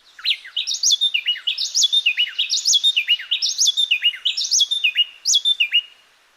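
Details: Costa Rican wrens, two birds going back and forth in an antiphonal duet that sounds like one; near the end one bird quits and the other continues alone. Looping high whistled phrases with steep up-and-down slurs repeat steadily for about six seconds.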